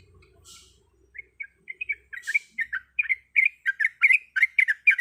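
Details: Female sooty-headed bulbul calling for a male: a faint low hum and soft rustles, then scattered liquid chirps that speed into a dense run of bubbly notes, several each second.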